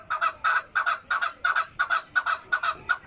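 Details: Chukar calling in a steady series of loud, harsh double clucks, roughly three per second, each note with a slight stutter, over quiet background.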